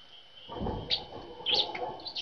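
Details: Tits at a feeder on a cold winter morning give three brief, high, thin chirps spaced roughly half a second apart, over a low rumbling background.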